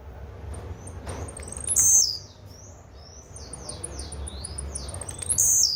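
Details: Blue-black grassquit giving a high, buzzy, explosive song phrase preceded by thin ticking notes, with faint chirps from other birds between phrases and a low rumble beneath.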